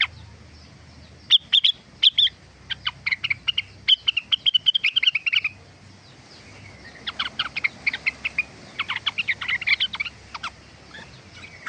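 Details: Cucak rengganis in sustained song; long fast runs of crisp, high chipping and twittering notes in two main phrases separated by a short pause, with a low hum in the background.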